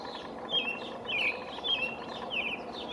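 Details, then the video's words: A male American robin perched high in a pine on 5/6/19, singing to mark his territory: bright, warbling whistled phrases repeated roughly every half second, clean and prominent against a quiet background. "American Robin singing"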